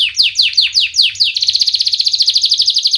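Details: Canary song for teaching young canaries to sing: several sharp, steeply falling 'wit' notes, then a sustained rapid high trill to the end.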